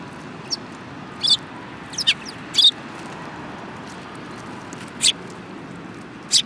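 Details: Several sparrows, one with a yellow beak, recorded on 18 January 2018: short, high, sharp chirps scattered at irregular intervals, single or in quick pairs, over a steady background hiss.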